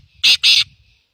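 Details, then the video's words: Black francolin uttering two short, loud, harsh notes separated by a brief gap, with faint low background noise. "Quail بٹیر Black Francolinlڪارو تتر"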